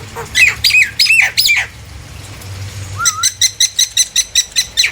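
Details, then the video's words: Lure song of a Nias hill myna meant to set other hill mynas singing: several shrill squawks, a short pause, a rising whistle, then a fast regular string of about ten clipped harsh notes. "JALAK NIAS GACOR ||Untuk memancing JALAK NIAS yang lain agar ikut bunyi!!"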